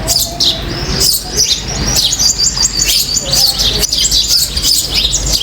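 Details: Common myna (Acridotheres tristis) on a balcony gives a busy, nearly continuous run of high, harsh chirps and whistles, with a low background rumble.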